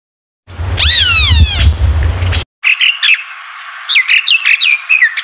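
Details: Yellow-vented bulbul in the Philippines: a loud burst of descending, slurred whistled notes, then a series of short bubbly chirps, over a low rumble.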